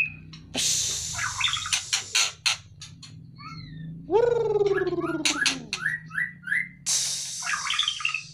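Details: White-rumped shama kept caged and taken out to lose fat gives sharp clicks and chatter, a long buzzy falling tone, short whistled slurs, then scratchy notes, over steady low humming.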